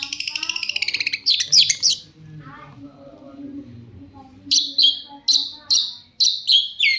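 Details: Shrike singing to provoke replies from other shrikes: a rapid rattling trill and scratchy squeaky notes, a pause with softer low murmuring, then a series of sharp harsh downslurred notes repeated roughly every half second.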